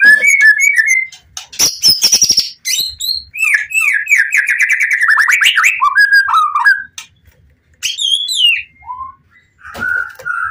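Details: Agitated White-rumped shama singing to provoke rival shamas into answering: short whistled notes, a harsh rasping burst, then a long warbled trill with pauses and scattered whistled phrases.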